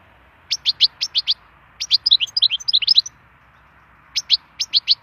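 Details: Singing wild European goldfinch: a series of crisp high 'tink' notes, then a tumbling liquid twitter, then more evenly spaced bright chirps, clear against quiet background.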